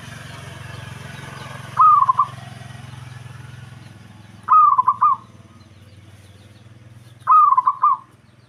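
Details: Local Javanese zebra dove song meant to provoke an opponent: three crisp phrases of a rising coo followed by quick trilled stutters, spaced almost three seconds apart, over a steady low rumbling hum.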